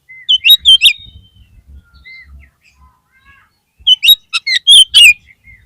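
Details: Oriental magpie-robin song used to encourage a caged bird to sing: two bursts of loud, sharp whistled notes and chirps separated by a quiet gap with faint soft notes and low thumps.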